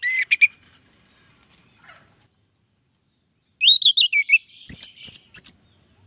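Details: An orange-headed thrush gives bright, high, twisting phrases with quick chirps and sliding whistles, broken by a pause; the sound is said to lure other orange-headed thrushes.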